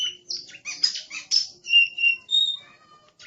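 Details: Oriental magpie-robin in aggressive song, kept as an Indonesian songbird: loud scratchy chatter and buzzy bursts followed by several clear, level whistled notes at different pitches.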